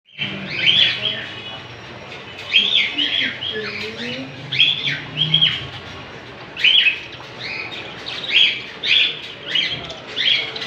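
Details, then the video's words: Little Australian parrots chattering: clustered bursts of bright, squawky chirps, each about half a second, coming every one to two seconds with short pauses, over a faint low hum. "Amazing Australian Parrot's video // Little beautiful birds talking"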